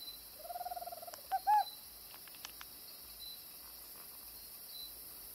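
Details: A tropical screech owl (Megascops choliba), a resident bird in Costa Rica, gives a soft, quick purring trill, then two sharper hooted notes, over a steady high insect hum.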